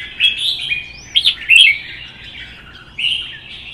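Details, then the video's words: Red-whiskered bulbul in a provoked singing contest, a wild-caught adult among the caged birds: a quick sequence of sweet whistled and slurred notes, a loud burst midway, then a final rising warble. "CHÀO MÀO | Hót đấu kích ché"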